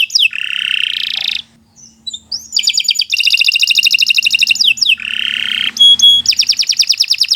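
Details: Training song from a Kenari Nusantara canary for birds that have gone quiet, mixing buzzy rolls, rapid rattling trills and a few high piping notes, with a short silent gap near the start.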